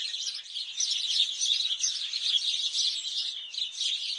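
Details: Flock of sparrows giving rapid, overlapping high chirps, about three per second, forming a steady, lively twitter.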